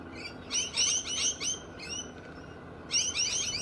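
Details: Australian galahs, bold and loud, give bursts of high, harsh, screechy chattering notes that overlap quickly, as from several birds calling together, with short pauses between bursts.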